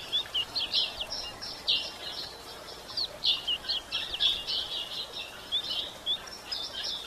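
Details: Female yellow-bellied seedeater calling to excite males, giving a nearly continuous stream of sharp, high chirps and short buzzy notes, several per second, with light background hiss throughout.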